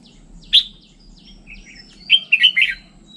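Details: Red-whiskered bulbul singing a single sharp note, then after a pause a quick tumbling phrase of four warbled notes, over a soft low hum.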